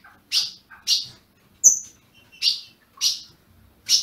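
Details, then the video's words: Caged ultramarine grosbeak in Brazil, calls played to warm up a captive bird: six well-spaced, sharp high chirps, roughly one every half second, with a single thin whistled note among them; otherwise quiet. "Azulão piando"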